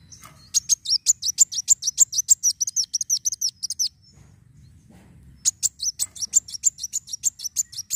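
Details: Sunbird, known locally as kolibri wulung, delivering an energetic fighting song to stimulate other birds: long rapid series of very high, sharp, slurred chirps, about three per second, pausing briefly before a second equally fast burst.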